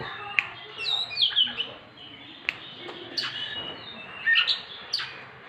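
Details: Oriental magpie-robin, a kept songbird played to stir silent birds into singing; scattered high whistled notes and sharp chirps with brief clicks, the phrases broken and uneven over a low background hum.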